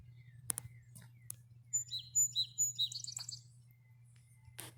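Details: Song Sparrow (Melospiza melodia) singing in early spring, April 4, 2020, in a neighbourhood among blooming maples: a few clear, separated high notes, then a quick run of repeated notes, over a low hum and handling clicks.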